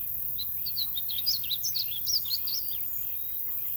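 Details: Painted bunting singing in Royse City, Texas, on 8 June 2020: a quick, high, sweet warble of slurred rising and falling notes running steadily for about two seconds, with a low hum of background noise throughout.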